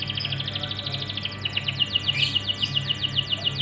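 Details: Canary song used as a lure to get untrained canaries singing: rapid runs of bright, repeated high notes in fast trills about twice a second, with a steady low hum underneath.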